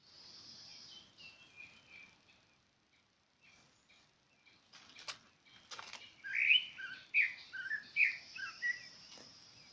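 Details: Soft high bird notes and a pause give way to clicks, then a lively run of loud, varied chirps in the second half, repeated about once a second.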